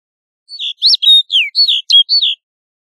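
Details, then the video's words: Snow bunting delivering one clean, brisk phrase of about seven clear notes, each a sharp whistled slur dropping in pitch, in a quiet background. "Snow Bunting Song! Snow Bunting Call!"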